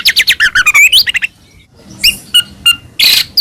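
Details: Lure song of a white-rumped shama for stirring captive birds to sing: fast sweeping whistles and buzzy rattles in the first second, a short gap, then scattered sharp notes and a harsh burst.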